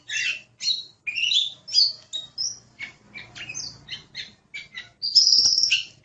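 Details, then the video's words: Kacer, the oriental magpie-robin, in lively masteran song: clipped sweet notes and brief trills in quick separate bursts, then a loud drawn-out high whistle near the end. "Suara Burung Kacer | Gacor"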